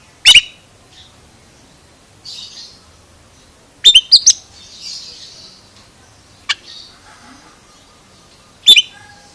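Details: Oriental magpie-robin giving odd, strange notes: scattered loud cracking chips, including a rapid triple burst, separated by quiet breathy hissing phrases and a lone thin tick.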